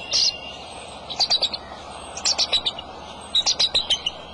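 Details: Bald eagle, the male of a nesting pair, calling at the nest over eggs on March 23 afternoon: a high sharp note, then three runs of descending, squealing chips, each about five notes long.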